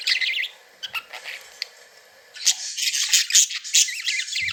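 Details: Pet budgies at play give a wavering whistled warble, fall briefly quiet with scattered clicks, then break into a louder burst of zigzag chirps and squeaks.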